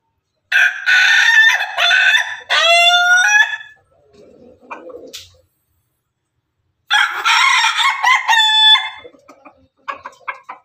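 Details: Pelung and Ketawa chickens, Indonesian crowing breeds, heard together: two long loud crows about four seconds apart. Each is harmonic-rich, and each breaks into a quick run of choppy, stepped notes before it ends. A low murmur fills the gap between them.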